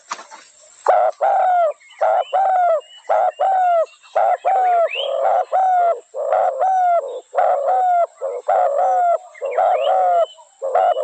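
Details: Spotted dove cooing steadily, with a rapid run of short, mid-pitched, harmonic coos closely spaced at nearly one per second, plus faint higher chirps of other birds in the background.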